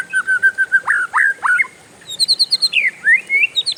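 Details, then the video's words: Oriental magpie-robin delivering a long roll: evenly repeated short whistles, then strong downward-swooping notes, a brief pause, and a rapid high twittering run ending in rising slurs. "SUARA KACER RIUH NGEROLL PANJANG, BURUNG LAIN LANGSUNG IKUTAN"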